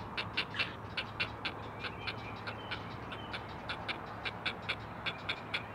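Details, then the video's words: Four great blue heron chicks on a Chesapeake nest calling for their mother: dry, clacking chatters in short, unevenly spaced bursts, about one or two each second, over a steady low hum. "Four Singing Great Blue Heron Chicks!"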